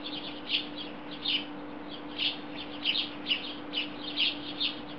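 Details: House sparrows chorusing on a wire in Belgrade, Serbia, July 2016: short, bright chirps repeated roughly every half second, several birds overlapping, over a steady low hum.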